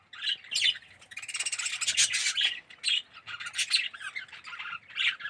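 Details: Red-eyed yellow budgerigars in an aviary colony trading high chirps and warbled squeaks, a lively overlapping chatter swelling in the middle and easing into separate calls toward the end.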